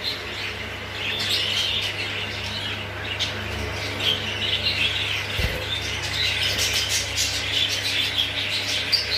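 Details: English show budgerigars, exhibition and hogoromo, chattering in a noisy group: quick overlapping chirps and squawks over a steady low mechanical hum.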